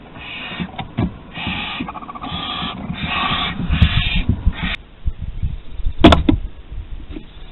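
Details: Barn owl chicks at a nest in Théding, France, on 8 August 2020, during food deliveries: a run of harsh, broad hissing bursts about half a second to a second long, then a pause and a few sharp knocks.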